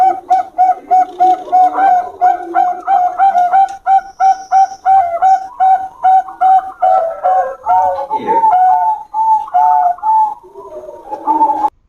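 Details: Zebra doves of a champion lineage, Bangkok type, in a duel of henging-style song: rapid trains of clear, mellow cooing notes, about three per second, overlapping between birds, with a short broken pause midway and brief higher notes late in the duel.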